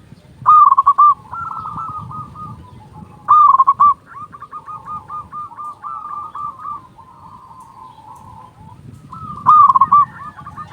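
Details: Local zebra dove with a loud, big voice, used as a lure and to stimulate other doves to call. Loud rolling trilled coos come at about 0.5, 3.3 and 9.5 seconds. Softer, stuttering cooing continues steadily between them over a low background rumble.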